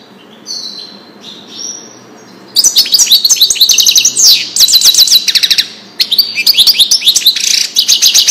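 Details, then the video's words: European goldfinch, Wadani song style, recorded for tutoring chicks and hybrids. Thin, soft whistled notes lead into loud, dense twittering with quick chirps and short trills from two and a half seconds on. "تغريد الحسون لتسميع الفراخ"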